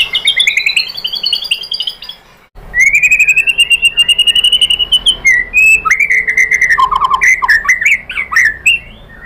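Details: White-rumped shama singing in a lure recording meant to stir rival shamas to answer: long, steady whistled phrases, then a dense chatter of rapid notes over a wavering whistle that ends in lower, looping slurs.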